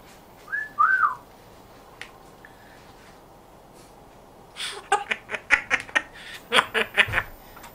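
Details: African grey parrot kept as a pet, known for speaking in a Yorkshire accent: a pair of bent whistled notes, then a quick run of sharp clicks and pops roughly twice a second near the end. A quiet indoor setting.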